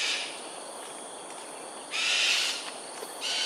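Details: Loud, abrasive shrieks break out after a quiet start as cockatoos display in the air at Sungei Ulu Pandan, Singapore, 13 January 2022, 7.43am; one long scream, then another begins, over background hiss.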